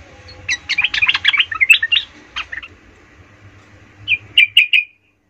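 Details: Excited sooty-headed bulbul song used to rouse rival bulbuls: a jumbled, bubbly warble of quick rising and falling notes, a short gap, then a few clear chirps before silence.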